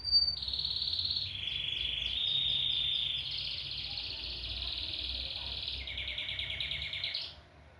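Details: Canary in full song, valued as a good singer: quick repeated sweeping notes lead into long steady trilled tours at changing pitch, ending abruptly with a short rising flourish.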